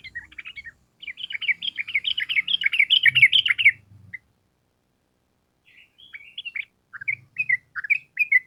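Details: Sooty-headed bulbul in energetic form, giving the long 'ropel panjang' style as a training model. A dense three-second rattle of rapid chattering notes is followed, after a pause, by looser scattered chirps.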